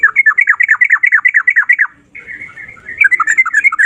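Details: Sooty-headed bulbul in the ropel style: a dense stream of rapid, looping whistled notes, a brief softer warble, then the fast rolling phrase resumes.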